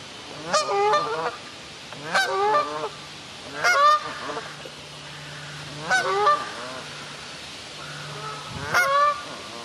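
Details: Canada goose at a wildlife park in Ludwigshafen am Rhein, Germany, reunited with its lost goslings, gives loud nasal honks in short bursts about every two and a half seconds, five bouts in all, over a steady low background hum.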